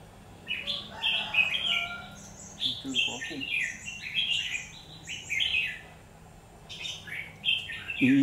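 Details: Red-whiskered bulbul in fighting song at a trapping site, recorded 17 October 2019: bright, slurred whistled phrases of several notes, repeated in bursts with short pauses, a faint lower chirp series midway, quiet background between phrases.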